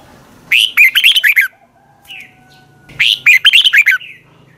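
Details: Red-whiskered bulbul singing in the morning, a training song in the 'giọng kép xoắn dài' (long twisted double voice) style. Two one-second bursts of rapid, bright warbled notes, separated by a quiet gap with a faint soft note.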